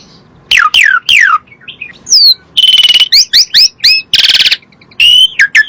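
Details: Asian pied starling song played to make other birds answer: falling whistles, harsh buzzy grating notes and looping chirps mixed in a lively, varied phrase.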